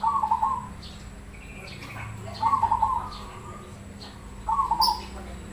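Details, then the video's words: Zebra dove of the black cemani Krosing kind singing to set others calling: three clear, bubbling coo phrases, each under a second, spaced about two seconds apart over a soft hum. "Suara Perkutut cemani Krosing bikin nyaut Manggung"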